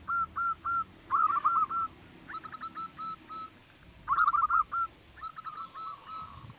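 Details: Loud local zebra dove used as a lure to make other birds sing: repeated phrases of quick staccato coos that speed into a rolling trill, separated by short pauses, with a few sharp clicks.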